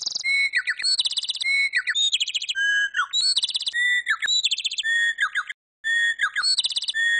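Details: Pet talking bird vocalizing on what is called a happy day: rapid strings of clear whistles, buzzy chirps and warbled tones, shifting quickly between high and middle pitches, with one brief silence midway.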